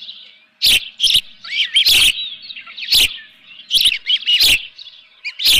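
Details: Osprey at the Dunrovin Ranch nest on 24 June 2018 at 7:32 AM, live fish in the nest; slurred high whistles and chirps between loud abrupt thumps and clatter.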